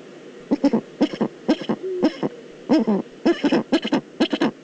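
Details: Eurasian eagle-owl in the Eifel, recorded 22 October 2014: short, low, gruff hooting barks in irregular bursts, some doubled or tripled, with brief quiet gaps between.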